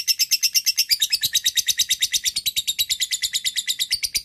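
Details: Lovebird giving long ngekek chatter as a lure to call a rival: fast, shrill, regular rattling notes, about eight a second, continuing without a break.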